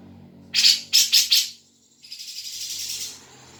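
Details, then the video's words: Grey-cheeked bulbul sound played to a caged bird to prompt it to sing; three loud harsh raspy bursts, then a softer hissing rattle lasting about a second. "pancingan cucak jenggot biar bunyi"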